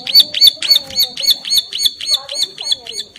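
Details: Bar-winged prinia female in breeding condition, calling to its mate and suited as a lure for other birds, repeats a sharp high chipping note about three to four times a second throughout, steady and insistent, with faint lower sounds behind.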